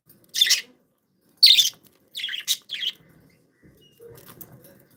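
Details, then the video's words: Happy, playful pet budgerigars chirping: five short, scratchy, bright chirps in quick bursts over the first three seconds, then near quiet with faint low rustling. "Happy budgies sound"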